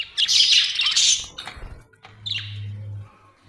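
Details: Budgerigar chirping happily: a dense run of quick, bright chattering chirps for about a second, a pause, then a shorter burst of chirps, with a steady low hum underneath.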